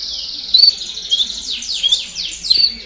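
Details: Domestic canary baderna, a chorus for stimulating fledglings to sing: a buzzy high roll followed by a series of sliding downward sweeps, punctuated by short shrill whistles.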